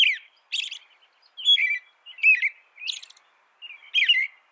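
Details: American robin giving separate song phrases about every second, alternating lower slurred whistles with high, buzzy, broken notes.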